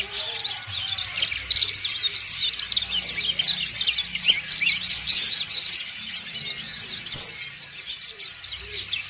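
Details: Group of white-eyes, dakun and montanus types, chirping together as a flock: dense, high, thin twittering and rapid chirps from many birds at once, running without pause; used as a lure and as therapy to get silent white-eyes singing.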